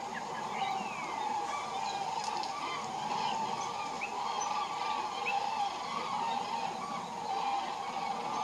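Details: Migrating common cranes heading north in February give continuous overlapping trumpeting calls from many birds, swelling and easing in loudness, with a few thin sliding whistles from other birds over the chorus.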